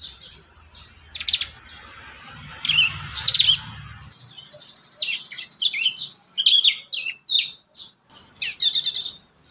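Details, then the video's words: Prinia song meant to coax young prinias into singing: repeated short, sharp high chirps and twitters over steady background hiss and a low rumble early on. "pancingan burung prenjak muda"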